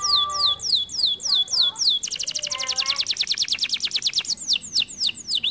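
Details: Canary song built from repeated high downslurred whistles, then a rapid, even trill of short notes, finishing with separate sweeping chirps.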